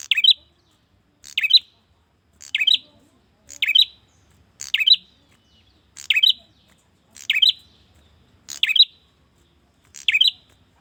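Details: A male bar-winged prinia calling for a female repeats a harsh, buzzy chirp about every 1.2 seconds, steady and evenly spaced, with no other sounds.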